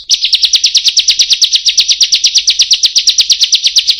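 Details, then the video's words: Bar-winged prinia, known as ciblek, in a kriek-kriek-kriek call: an unbroken fast series of rasping, buzzy notes, about seven per second, steady and very loud. "Kriek- kriek- kriek Suara Ciblek"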